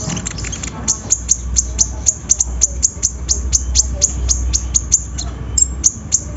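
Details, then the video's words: Sunbird song used as a lure to prompt hesitant birds to sing: a fast run of sharp, very high ticking chips, evenly spaced at about four per second, with faint low background hum. "PANCINGAN KONIN SUSAH BUNYI!!"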